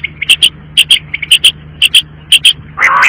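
A quail gives quick, liquid three-note phrases, a soft lead note then two sharp whistles, about twice a second, over a low hum and a brief rustle.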